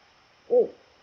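A Eurasian eagle-owl gives a single deep, rounded hoot, briefly rising then falling, lasting about a quarter second against a quiet background.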